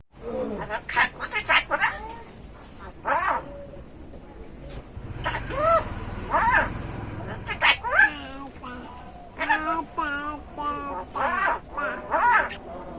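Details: A pet common myna, raised by hand after being found under a light post when a storm destroyed its nest, imitating human speech it copies all day: squeaky, nasal, word-like phrases with whistles and clicks, a person's voice faintly underneath.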